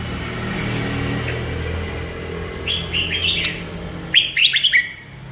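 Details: Merbah lekir bulbul singing two short, sweet phrases of quick, bubbly warbles in the latter half, after a stretch of low rumbling background noise.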